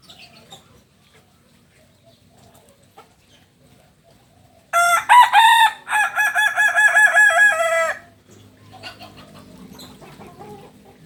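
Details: Kukuak Balenggek rooster from Solok, crowing at a 2023 record contest in Padang, Indonesia: after quiet crowd noise, a loud three-second crow of stepped, rapidly repeated harmonic notes, then background chatter and distant rooster calls.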